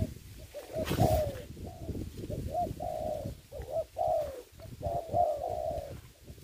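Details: Spotted dove serving as a trapping decoy on the ground during the COVID-19 season. A run of soft, level coos follows a sharp burst of noise, with low rustling and knocks underneath.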